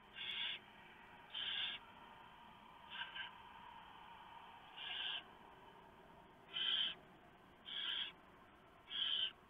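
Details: Barn owl family at the nest, 3:59 AM on 3 November 2015. The male drops off a huge mouse and the female shreds it for the owlets. Repeated rasping hisses, one short and weak, come about once a second over a constant hum.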